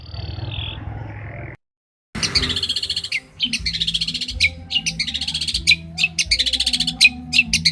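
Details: Long-tailed shrike, a champion bird, heard in master song for training: after a brief silence, bursts of fast high chatter and sharp clicks repeat in quick clusters over a low background hum.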